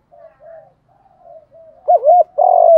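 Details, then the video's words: Spotted dove cooing as a lure to provoke rival males: soft low coos build into a loud looping double coo and a long rough, buzzing note falling at its close. "tiếng chim cu gáy kích bổi nhanh nổi, cu mồi thúc đấu giọng đồng, cu gáy có giọng thúc hay"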